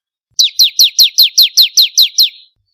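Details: Bar-winged prinia, locally ciblek kristal, in a song variation used to train songbirds: a single evenly paced burst of ten loud, falling, whistled chirps over a faint buzzy undertone, lasting about two seconds.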